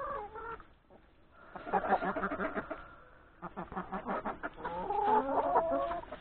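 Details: Hens and roosters at breakfast in a farmyard before heading off to forage in the forest; dense overlapping clucking in bursts, a long steady tone, then busy chattering from the flock.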